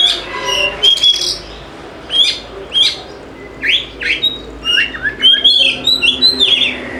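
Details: Oriental magpie-robin (kacer) singing, played to coax reluctant birds into song: rich varied whistles, rising sweeps and chirps delivered in quick separate bursts, some long sustained whistled notes near the end.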